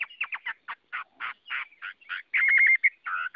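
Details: Chinese hwamei singing a rapid series of harsh, scratchy, chattering syllables broken by one sustained clear whistled note, then more rough notes, with no other sounds.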